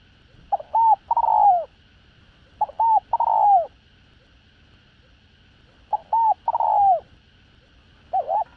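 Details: Spotted dove with a 'đồng rặc' voice suited to luring wild doves, singing a calling, urging and cooing sequence. Three-part coos: a short note, an arched note, then a longer falling coo. Phrases repeat every two to three seconds over a faint steady hum.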